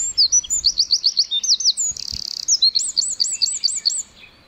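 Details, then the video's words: Tiny wren chirping away in the forest, delivering a rapid, high-pitched song of looping trilled notes in quick bursts, with a brief harsh buzzy rattle midway before the trills resume and fade. "1 Hour Of A Bird (Wren) Chirping In The Forest."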